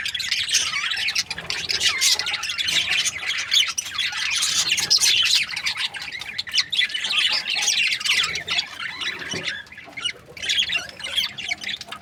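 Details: Breeding pairs of budgerigars chirp and warble at length, a steady babble of many scratchy squeaks and twitters that eases slightly toward the end.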